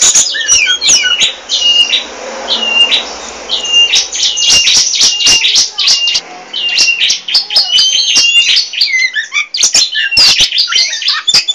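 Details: An Oriental magpie-robin of the Poci type sings nonstop, chattering and never quiet: a rapid, varied run of high whistles, sharp chirps and clicks, with little pause between phrases.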